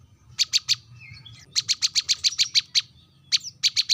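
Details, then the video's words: Sharp rival-summoning call of a brown-throated sunbird: bursts of high, piercing chips, three quickly, then a run of about ten evenly spaced, and a final group of four after a short pause. A faint low hum runs underneath. "kolibri kelapa | manggar | wiceh | suara tajam memanggil lawan"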